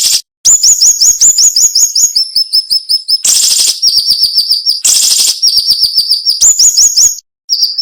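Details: Cinnamon-bellied flowerpecker delivering tight, sharp masteran phrases with little pause: fast trains of piercing high notes, roughly 160 a minute, alternating with two loud buzzy chattering bursts.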